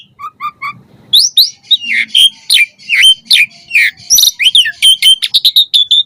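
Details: Lively Asian pied starling song used as a lure for captive starlings: three soft opening notes, then a dense stream of sharp whistles, squeals and chatter, ending in rapid repeated chips.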